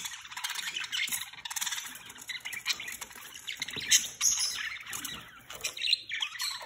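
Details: Budgie pair caged together, mating for the first time, giving a dense run of scratchy warbles and chirps, with tight bursts blending into continuous chatter, and faint flapping in the background.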